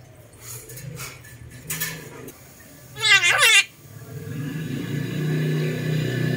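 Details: A young rose-breasted parakeet talking at midday in hot sun, ordering a dog to come and lie down, gives one loud, harsh, strongly voiced utterance about half a second long, amid a low indoor hum.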